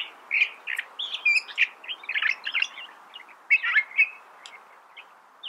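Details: Continuous, varied song of a California thrasher: a rapid jumble of scratchy chirps and squeaky high notes, with a brief lull near the end.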